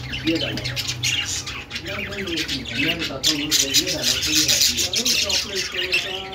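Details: Budgerigar flock chirping continuously, quick high twitters mixed with scratchy squawks and warbled notes, with no pauses.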